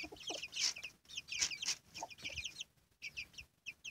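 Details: Chicks with their mother hen give piercing, downward-sliding peeps in quick overlapping bursts, roughly one cluster per second. Soft low clucks from the hen show near the start, and the calling thins out toward the end.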